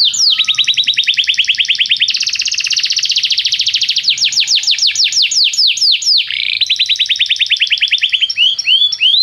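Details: Canary song for training young singers: long continuous rolling trills of high repeated notes, changing speed and tone across nine seconds, ending in looping whistled slurs.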